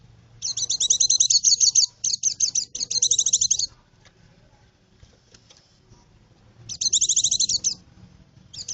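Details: White-eye song used to lure birds in the forest: bursts of very high, rapid, jittery twittering, each about a second long, with a gap of near silence before a final burst.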